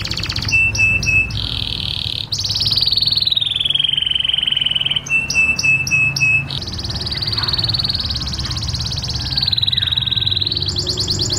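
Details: Canary song for mating: long, high whistled notes that slide slowly downward, broken by quick stuttering trills, with a steady low hum underneath.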